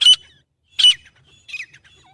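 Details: Grey francolin (teetar), recorded for hunting-call use: two loud, harsh, high squawks about three-quarters of a second apart, then a softer, falling third note, over a silent background.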